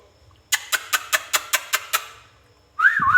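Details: Pet ringneck parakeet (rose-ringed parakeet, Psittacula krameri) gives eight short, harsh notes in an even series, about five per second, then a rising and falling whistle.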